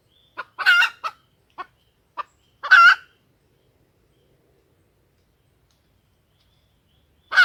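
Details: Hen junglefowl calling as a lure for wild males: a few quick clucks and two strident, nasal squawks within the first three seconds, then a long silence before another call begins at the end.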